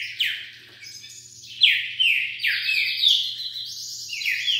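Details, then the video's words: Quick, loud song of a wild green-winged saltator: clear whistles falling in pitch, delivered back to back in a fast, steady stream. "Trinca ferro Selvagem passando 40 canto por minuto."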